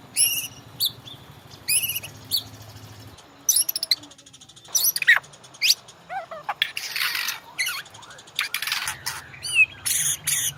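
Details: White-rumped shama master song used to train caged birds into singing: bursts of high, rapid trills and sharp rising whistles separated by short pauses, over a low steady hum at the start and end.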